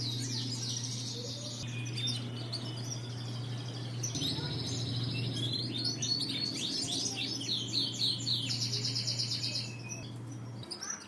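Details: Canary singing a lure song, Indonesian song-bird hobby: long rolling trills of evenly spaced high notes, then cascades of rapid chirps and buzzy trills, over a steady low mains hum.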